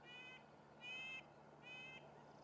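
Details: Great grey owl family at a nest, recorded on a nest camera as the male delivers a large rodent that the youngest owlet swallows. Three drawn-out, screechy harmonic notes come about once every 0.8 seconds over a steady low hum.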